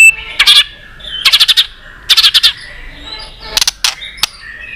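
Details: White-rumped shama in competition fighting song: loud rapid clicking bursts of four or five notes repeated about every second, with faint whistles between them.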